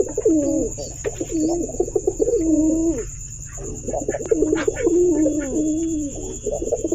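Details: Domestic pigeons giving repeated rolling, bubbling coos in two long series separated by a pause, with faint clicks, a persistent high whine and low hum in the background.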